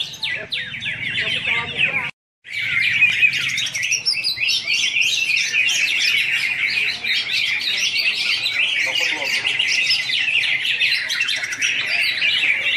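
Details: Greater green leafbirds at a singing contest give a dense, continuous tangle of bright, rapid chattering and whistled phrases overlapping from several singers, with a brief break early on.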